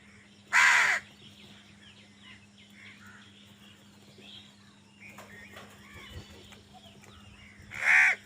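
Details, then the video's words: Crow giving two loud harsh caws, one near the start and one near the end, with faint chirps of other birds and a steady low hum between them. "কাকের ডাক Crow Sound Crow ki Awaz Loudly | Crow bird Fight for Food"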